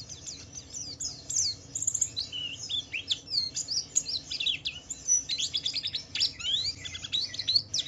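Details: Wiklus Wiksar white-eye (pleci) in gacor ngalas song meant to draw other white-eyes into answering: a long, unbroken stream of high, quick twitters, trills and thin slurred whistles, densely packed.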